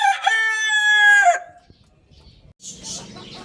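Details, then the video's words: Rooster crow: the drawn-out final part of a loud, harmonic-rich cry that lasts over a second and ends with a downward slide. Soft rustling and muffled clucking follow. "Adorable Rooster Crowing Sounds | Amazing Rooster Crowing Sound Effect"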